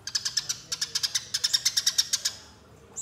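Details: Lure recording of Eurasian tree sparrow fighting calls: a steady stream of sharp, bright chirps at about three per second for over two seconds, then silence.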